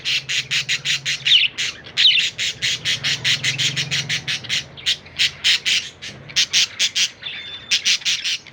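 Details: A baby budgerigar taking its first morning bath gives rapid, scratchy chirps repeated several times a second, with a low hum behind.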